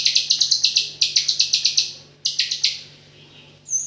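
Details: A white-rumped shama delivers 'AK47' filler song: two quick runs of about eight sharp, high, rattling notes each, then a few louder separate notes, a near-silent pause, and one thin high whistle.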